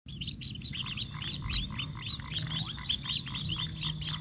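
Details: Sparrow feeding its chick: a dense stream of short, bright chirps, rapid and overlapping, sounding from several birds at once, over a steady low hum.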